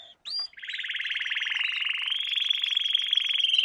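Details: Canary singing in a lesson recording meant to train young canaries: a short sharp chip, then a long rolling trill of rapid pulses that climbs gradually in pitch and grows louder toward the end.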